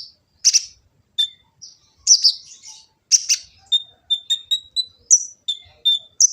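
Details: Kolibri ninja sunbird from East Java with a varied training song: piercing chirps mixed with a run of short, evenly spaced lower whistled notes, roughly two to three per second, then high rising flourishes.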